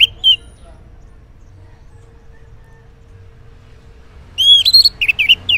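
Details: Morning ngeplong song of an Orange-headed thrush, played as a lure for mute males: a single short whistle, a long silence, then a fast burst of clear looping whistled notes.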